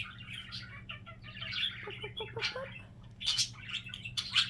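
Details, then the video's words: A budgerigar kept as a pet warbles in a jumble of high chirps, with a brief series of short lower pulsed notes in the middle and sharper squeaks near the end. "Wait for Phoenix's funny signature sound"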